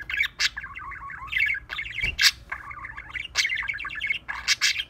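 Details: A pet budgie, singing and talking, warbles in a rapid, chattering stream broken by sharp, harsh squawks. Budgerigar.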